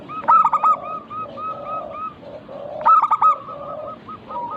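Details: Local zebra dove song used as a lure to prompt other doves to sing: two loud harmonic bursts, each followed by a run of soft rolling coos, over steady background cooing from other doves.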